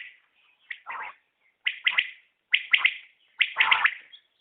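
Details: Common quail calling: four short phrases, each of two or three sharp, liquid notes near the top of the range, spaced almost a second apart over a quiet background.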